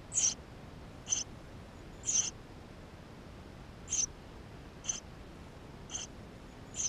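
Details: Nestling Eurasian tree sparrows inside the nest, filmed 28 May 2016 with a GoPro: clear high-pitched squeaks repeated roughly once a second, seven in all, with silence between.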